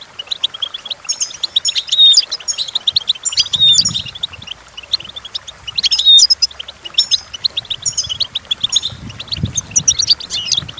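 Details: Goldfinches singing, meant to teach goldfinches to sing: loud, unbroken high twitter with repeated bright sweeping phrases about every two seconds, and occasional soft low thuds underneath.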